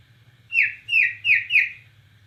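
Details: Bornean white-rumped shama in full song, delivering cililin-style phrases: four loud, clear whistled notes, each sliding steeply downward, spaced about a third of a second apart, over a faint low hum.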